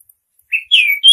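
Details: Female Oriental magpie-robin calling to a male, giving three short whistled notes: a brief level chirp, then a longer downslurred whistle and a clear high note, in a quiet setting.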